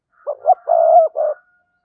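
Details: Spotted dove coo, a lure call for wild doves: one brief phrase of two short notes, then a long steady coo and a final short note.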